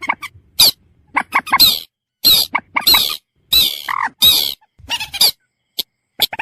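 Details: Common moorhen producing loud, grating squawks in bursts, mixed with short clucks and one lower, hollow honking note.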